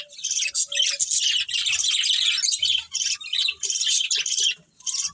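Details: Breeding budgies in a colony chattering: rich, high warbled twitters with scratchy chirps. A few thin whistled notes occur near the start and end, and a short quiet gap falls near the end.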